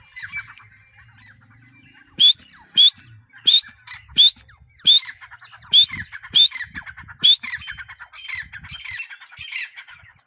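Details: Grey partridge in breeding season: after a quiet start, a series of loud, harsh notes with rising whistled tails, roughly one every second, ending in a rougher, busier chattering burst.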